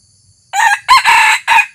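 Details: Red junglefowl crow from a decoy rooster taken out for the first time to lure wild birds. After a short quiet start comes a loud, raspy, choppy crow of several syllables with a drawn-out middle.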